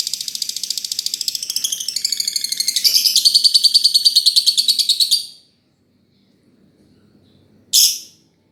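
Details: Lovebird song: a rapid, harsh, buzzy chatter of shrill notes repeated several times a second for about five seconds, growing louder midway, then a pause and one sharp chirp.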